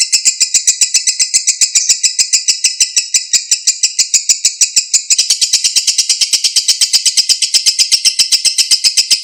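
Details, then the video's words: Lengthy ngekek chatter by a lovebird, used to coax a silent bird into song again. A rasping trill of rapid pulses runs nonstop, then becomes denser, faster and slightly higher partway through. "MASTERAN LOVEBIRD MACET, BISU KEMBALI NGEKEK PANJANG, PANCINGAN LANGSUNG NYAUT"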